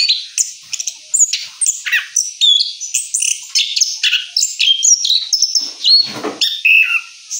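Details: Orange-headed thrush song after moult, a fast rolling sequence of high whistles, slurred sweeps and short chips, with one louder harsh burst late on.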